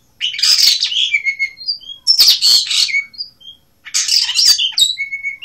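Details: Asian blue rock thrush giving three rich, chattering phrases about two seconds apart, each mixing scratchy twitters with short clear whistled notes that fall away at the end.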